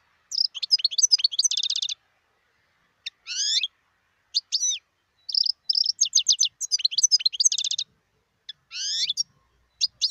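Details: Sustained song from a wild European goldfinch (2018): tinkling twitters mixed with fast rattling trills and several rising, slurred buzzy notes. The phrases come in irregular bursts over ten seconds, in a clean, quiet setting.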